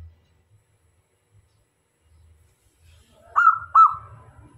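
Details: Local zebra dove kept as a lure bird to attract male and female doves. After near silence, it gives one short cooing phrase of two quick, rolling notes, with a soft low rumble beneath.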